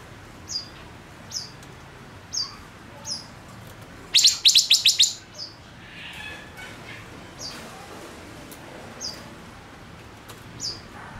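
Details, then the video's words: Decoy male Gouldian finch giving spaced, high, thin chirps every second or so, with a loud rapid rattling burst of several clicks in the middle and a faint hissy background. "Chim ngũ sắc mồi hót cực hay kích bổi nhanh nổi | chim ngũ sắc hót | ngũ sắc trống"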